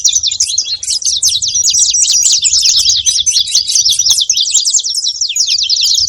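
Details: Saffron finch making noise: rapid, high, sharp chirps strung into a steady trilling chatter throughout, over a quiet low hum.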